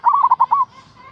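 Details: One quick bubbling phrase of pulsed coo notes from a local zebra dove calling a rival, the last note stretched out, followed by faint lingering tones.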